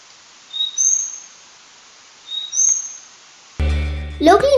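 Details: Large-billed Leaf Warbler, a Himalayan breeder wintering in Sri Lanka, recorded in Sri Lanka giving two thin, high two-note calls about two seconds apart, each a lower note then a higher one; music and a voice follow.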